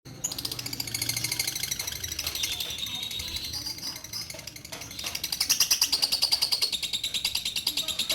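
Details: Caged female orange-bellied leafbird, formerly kept for breeding, singing nonstop since her mate died; used daily as a song tutor for other birds. Rapid high chattering notes repeated about three per second, with faint speech and music underneath.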